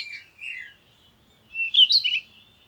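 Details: Two brief bird phrases: a warbled, falling whistle at the start, then after a pause a louder, twittering, rapidly modulated phrase, clean quiet background.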